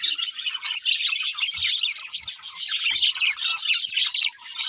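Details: A group of budgies chatters nonstop in bright, scratchy chirps and trills, with a few faint low knocks or taps heard partway through.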